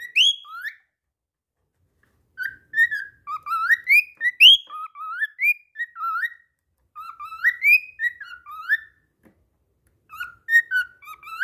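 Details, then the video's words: Cockatiel continuing its song after slipping: repeated bursts of melodic whistled phrases, each a chain of short rising slurs, separated by brief silences, clean with no other sounds. "Calopsita cantando mesmo depois de escorregar"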